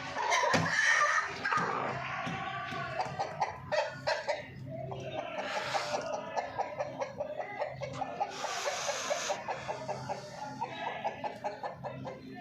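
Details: Chicken (hen) heard in the morning: a strong opening call, then a loose series of short, harmonic clucks repeated a little under twice a second, with bursts of hissy noise and a low steady hum underneath.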